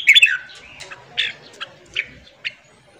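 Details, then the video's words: Red-whiskered bulbul morning song used to train and fire up wild-caught birds: a loud, bright warbled phrase at the start, followed by scattered short chirping notes over quiet background. "luyện giọng chào mào hót sáng kích lửa cho chào mào bổi"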